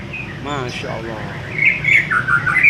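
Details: Spoken words fill the first half, then a white-rumped shama sings short, sweet whistled notes that rise and fall, repeated in a lively string of phrases.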